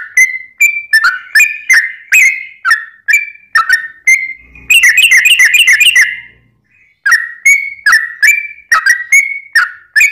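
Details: Sooty-headed bulbul's long rapid-fire lure song for making other bulbuls sing. Quick whistled notes give way mid-way to a dense, fast trill of rapidly repeated notes, then a pause before whistling resumes.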